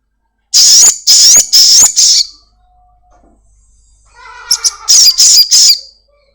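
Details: Black-winged myna, a domestically kept bird, in a lure recording meant to prompt caged birds to sing quickly: four harsh, loud, buzzy high bursts in quick succession, a pause with faint tonal notes, then another run of rasping bursts.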